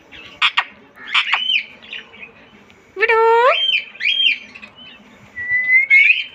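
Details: Talking green pet parrot: short squawky syllables followed by a strong, harmonic, speech-like phrase and a rising whistled note at the end.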